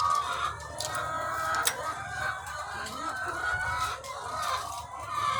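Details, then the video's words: Thousands of egg-laying chickens on a farm, chattering continuously, with a few higher squawks and one sharp click over a low background drone. "The Sound of Thousands of Egg-Laying Chickens"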